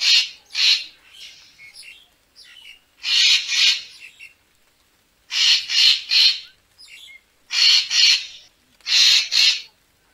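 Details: Grating, raspy calls of a Racket-tailed treepie come mostly in pairs and triplets with soft chatter between. The recording is used as a lure for bird photography.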